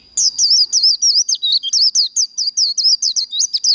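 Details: Japanese white-eye singing the rapid contest twitter known as líu đấu, used for training: a dense run of sharp, high, looping chirps, about four per second, over a faint steady high whine.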